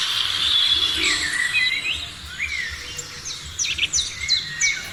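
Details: Birds singing in the morning, a loud burst of bright whistles and chirps at first, then a quieter stretch and a run of sharp, repeated downward-slurred notes, over a soft low rumble.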